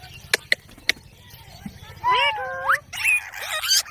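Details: Three sharp clicks in near-silence, then a ring-necked parakeet talking with drawn-out rising syllables and a harsh, noisy closing phrase.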